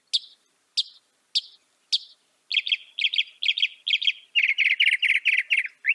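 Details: A northern mockingbird sings four spaced, clipped high notes, then shifts to rapid doubled buzzy phrases repeated in series, ending with a dense, loud burst of harsh repeated notes.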